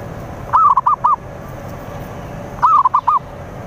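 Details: Zebra dove singing to lure rivals: two short phrases, each opening with a longer rising coo followed by three quick rounded notes, about two seconds apart, with faint hiss behind.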